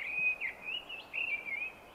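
Mistle thrush song: short, fluting, melodic phrases with slight wavering pitch, given in quick bursts separated by brief pauses, over faint background hiss.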